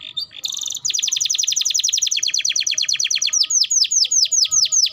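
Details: Vigorous canary song used as a lure for other canaries: after a short chirp, a long fast trill of rapidly repeated high notes slows into distinct downward-sweeping whistled syllables, clean with little background noise.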